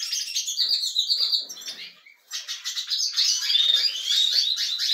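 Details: Caged European goldfinches at a canary breeding room becoming more active: bright, rapid high twitters and liquid trills, with a brief lull midway before the chatter resumes.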